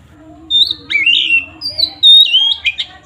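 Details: Oriental magpie-robin delivering provocative fighting song: pure high whistles, a rising slurred phrase and quick buzzy notes in short bursts, over a faint steady low hum.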